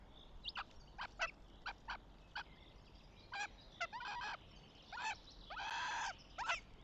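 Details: Northern goshawk at its nest in Tartu, Estonia, 6 May 2025: a string of short, sharp, harsh notes about every half second, then longer drawn-out nasal wailing cries, over faint background hiss.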